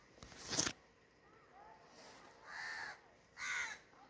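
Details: Crow with two drawn-out, raspy caws about a second apart, preceded by a sharp loud clatter, with quiet background noise between calls.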